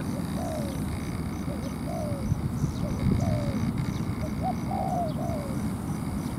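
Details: Decoy spotted dove on the ground calling to bring a wild dove down to fight over territory, with a loose string of soft, falling coos amid low rumbling background noise.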